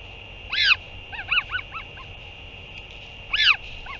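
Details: Northern royal albatross during a parent's return to feed its chick, 8 June 2023: a loud arched honk, a soft run of quicker notes, then another strong honk and a faint trailing note, with steady hum.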